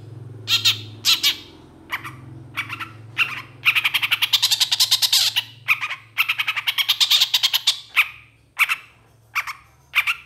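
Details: Excited long-tailed shrike singing a mimicry-packed song and reacting to other shrikes; spaced harsh chips build into two long rattling, buzzy runs, then break up into single scratchy notes again, with a low background hum.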